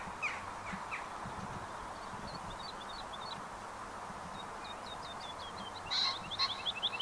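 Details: Woodlark singing high in the sky: short series of high, clear repeated notes, the same motif given again after pauses and ending in a quicker run, over steady low rumbling background noise.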